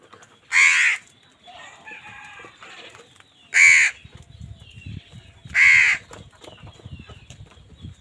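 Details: Crow competing with wild birds for food: three short, grating caws about two seconds apart. Low rumbling background noise follows the later calls.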